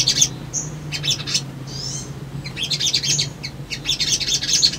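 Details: Lure song of a male Crimson Sunbird (sogon), used to make birds respond and hunt for a rival. High sharp chips and a thin whistle lead into a sliding descending note, then renewed twittering.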